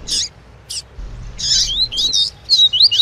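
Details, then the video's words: Double-collared seedeater, tui tui song with a female's call to get the male singing; two isolated high chirps, then a burst of buzzy notes running into clear rising and falling whistles. "PAPA CAPIM CANTANDO TUI TUI COM PIADO DE FÊMEA"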